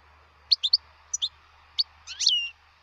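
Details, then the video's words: Wild European goldfinch: clipped high chirps in short groups, ending in a longer buzzy, slurred nasal note that dips downward, over a soft low hum. "تغريد الحسون البري"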